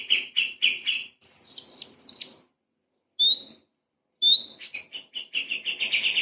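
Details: Light-vented bulbul, master recording for magpie-robins: a few chirps, then a cluster of sharp rising whistles, isolated whistled notes after pauses, ending in a fast chattering run.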